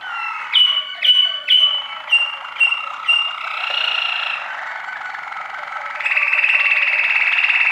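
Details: Waterslager canary song: a run of bubbly, clucking notes repeated about twice a second, leading into sustained rolling tours with a brighter, higher trill at the end.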